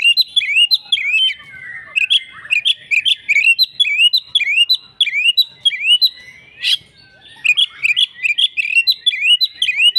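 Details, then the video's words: Oriental magpie-robin giving an agitated fighting song: repeated sharp upslurred whistles, almost two a second, in steady runs with one loud click midway. "kacer tarung full ngotot"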